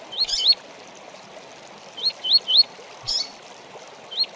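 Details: Double-collared seedeater song in the tui tui style, used as a tutor song for training birds: short rising, slurred whistled notes given in small groups of two or three, separated by pauses, over a steady background hiss.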